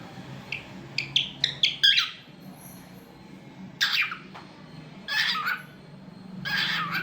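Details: Talkative pet cockatiel: a quick run of six sharp rising chirps, then three loud harsh squawks spaced about 1.3 seconds apart, indoors.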